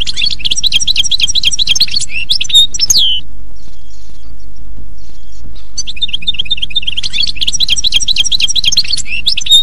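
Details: European goldfinch singing in the wild in a forest: fast, liquid twittering trills of rapidly repeated high notes, a gap of near silence midway, then another long tinkling trill phrase, with a low background hum.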